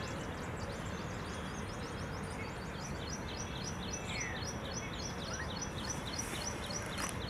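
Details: A family of Silverbills gives a quick series of thin, high chirps, several per second, over a steady low rumble of wind or distant traffic.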